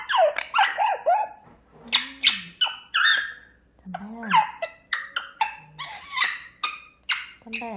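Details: Grey parrot kept indoors, chattering in the morning with a jumble of looping whistles, short sharp chirps and low rising-falling warbles in quick succession.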